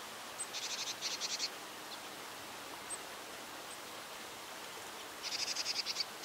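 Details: Japanese tit hunting prey in a reed bed gives two harsh, buzzy bursts of rapid high notes, each about a second long, with a few thin ticks between them over soft background hiss.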